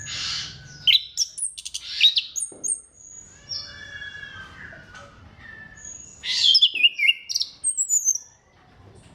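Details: Orange-headed thrush song for prompting other thrushes: bursts of quick, varied whistles and chattering notes, some long level whistles between them, then a second loud flurry of high twittering phrases.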